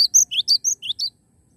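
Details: Cinereous tit, a real bird singing actively: one brief phrase of six or seven bright, high chirps, some rising and some flat whistled, delivered quickly before falling silent.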